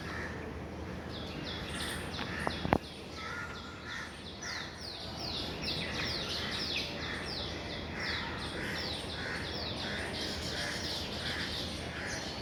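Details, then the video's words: A weaver bird colony in the morning, birds flying in and out of their nests, chattering with many short, bright, down-slurred chirps tumbling over each other several times a second, with steady hiss and a brief knock. "weaver birds chirp"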